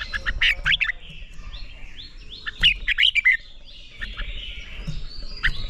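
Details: Training song of a red-whiskered bulbul in the 'ché' competition style: several short clusters of quick, bright whistled notes, some slurred downward, spread across the stretch with a hissing, buzzing background.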